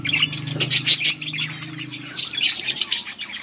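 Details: Breeding pair of budgerigars on August 16, 2024, giving a mating call; rapid high chirping and chattering in two bursts with a short lull in between, over a faint low hum.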